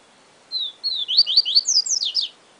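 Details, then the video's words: Papa-capim (yellow-bellied seedeater) singing a siu siu phrase. Two level whistles open into a rush of bright, downslurred notes. A few faint clicks are heard partway through. "Papa Capim Siu Siu Professor"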